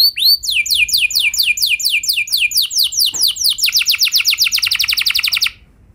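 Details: Canary lure song to make other canaries join in: a few swooping notes, then a long accelerating trill of rapid down-slurred notes that ends abruptly.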